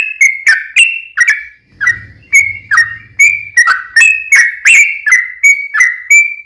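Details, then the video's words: Yellow-vented bulbul singing as a lure for other bulbuls: a steady series of short, bright, slightly descending chirps, about two or three each second, over a faint low hum. "trucukan gacor ROPEL PANJANG buat pancingan trucukan agar bunyi"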